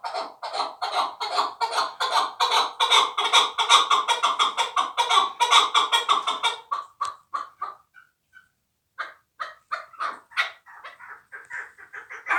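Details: Young fighting chukar partridge from last year's hatch calling in a steady, fast series of rasping chucks that run together for seven seconds, then break off and resume as scattered, sharper notes.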